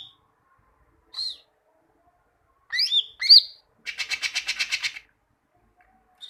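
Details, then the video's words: Greater green leafbird singing for a recording used to get leafbirds singing often: a thin downslurred whistle, two quick sliding whistled notes, then a second-long rapid buzzy rattle of pulsed notes. "Masteran cucak ijo, masteran burung cucak ijo agar cucak ijo rajin bunyi"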